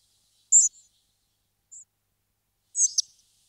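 Spotted flycatcher giving three thin, very high calls: a sharp squeaky note, a faint brief one, then a buzzier note ending in a hard tick. The background is quiet.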